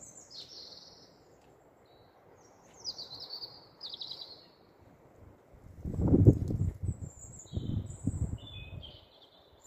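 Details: A European robin singing at night under street lights on 13 April 2020 in Staple Hill, Bristol: thin, high warbling phrases with short pauses, over low rumbling traffic-like noise.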